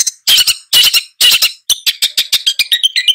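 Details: Long-tailed shrike giving harsh, grating squawks. Three longer rasping bursts open the series, then quicker clipped notes follow at about two per second, all high and scratchy.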